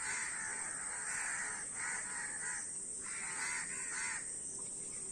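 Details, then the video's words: Flock of crows: loud, raspy caws in drawn-out bursts, a pause in the middle, then more harsh overlapping calls, against a constant hiss. "অনেক কাক Crow Bird's Video | কাকের ভিডিও ও কাকের ডাক।"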